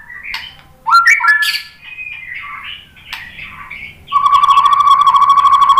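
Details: White-rumped shama song used to provoke other shamas into singing: varied whistled and slurred phrases around mid-high pitch, then a long, steady, rapidly pulsed buzzy trill that holds one pitch.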